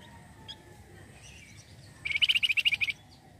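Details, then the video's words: Flamboyan bird sound played to attract other birds: after a quiet stretch, a fast high-pitched twittering burst of about ten clipped notes runs for nearly a second. "pancingan flamboyan gacor"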